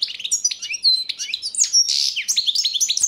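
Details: Balkan European goldfinch singing for the 2022 World Championship in Goldfinch Song, entry 003/22; dense jumble of high tinkling notes, slurred whistles and a brief harsh buzzy burst midway.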